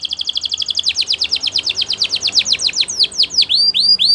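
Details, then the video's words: Belgian canary song for training: a long rapid series of descending slurred notes, about seven per second, slowing into wider sweeps and ending in rising whistled upslurs. "Belgian Canary Song That Fascinates Everyone!!"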